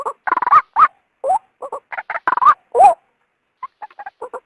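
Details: Female white-breasted waterhen luring a male out of its habitat: several loud, croaking bursts with upward-sliding squawks, followed by a short pause and a few soft, clipped notes.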